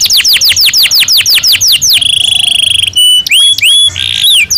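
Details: Caged canary singing during breeding season, a varied song: a fast series of repeated descending whistled sweeps, then a dry high buzzing trill, then sharp rising and falling whistled notes, bright and loud throughout.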